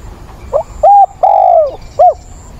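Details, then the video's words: Decoy spotted dove cooing to find a mate, recorded 17 September: a soft short note, a clear level coo, a long drawn-out coo sliding downward, then a short closing coo, all low and mellow against quiet background. "Cu mồi gáy gọi tìm bạn, giọng bổi ức chế, kích là gáy"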